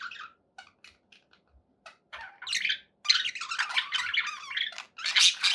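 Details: Happy budgies at home: a few isolated soft chirps build into loud, continuous scratchy warbling with rapid squeaky notes through the second half.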